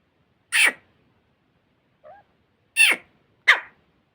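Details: Grey francolin (teetar) recorded in Layyah, giving three loud, harsh, shrill bursts that slide downward, spaced unevenly over three seconds, with a faint softer note between them.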